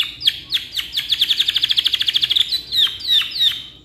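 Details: Caged canary delivering a long tutor song: spaced, downward-sweeping whistles that quicken into a rapid, even trill of about twenty notes, then ease back to slower, louder sweeping notes.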